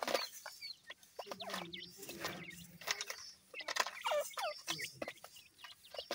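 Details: Grey francolin chicks about seven days old, feeding, in a clutch hatched by a domestic hen; thin, high arched cheeps in quick irregular bursts over soft low clucking, with occasional handling noises.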